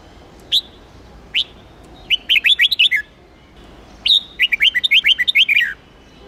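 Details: Red-whiskered bulbul from Hue, trained for singing contests and to get wild-caught birds fired up. Two separate sharp notes lead into a warbling phrase, followed by a longer, richer run of about twelve rapid tumbling whistles.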